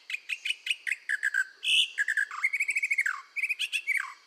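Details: Red-whiskered bulbul singing hard for voice training, a dense chattering song of quick repeated notes, a loud buzzy burst, then a fast trill of even notes and falling slurred phrases.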